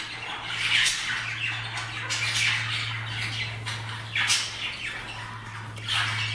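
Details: Pet budgerigars, one of them sleeping, give harsh, scratchy chirps and squawks in bursts over a steady low hum, with an airplane heard passing.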